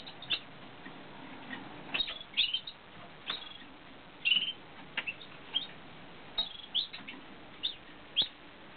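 Eurasian siskin chicks give thin, high, squeaky chirps in short irregular bursts, about ten over several seconds, above a faint background hiss.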